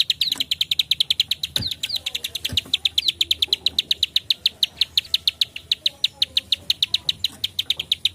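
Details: Bar-winged prinia giving the dense, rapid 'klik' call, played to lure other prinias: sharp high ticking chirps repeated about five to six times per second in a steady, unbroken series, with faint background hiss.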